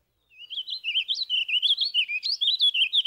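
A Warbling Vireo sings a fast, unbroken, rambling warble of high, slurred notes that run up and down at an even tempo, with no other sounds.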